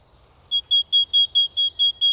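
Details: Great tit, one of its many song types: a clear single note repeated eight times at an even quick pace after a short pause, each note flat and bell-like, with very quiet background.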